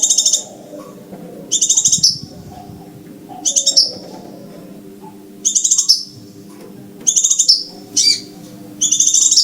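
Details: Scarlet minivet call for luring birds: seven short bursts of quick, shrill pulses, each closing with a slurred whistle and spaced about every one and a half seconds, above a low background hum.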